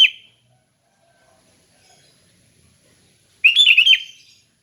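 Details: The end of one phrase, a long pause, then a full bubbly phrase of quick chirruping notes with rising and falling pitch, from a sooty-headed bulbul singing in relaxed 'ngeplong' style; no other sounds.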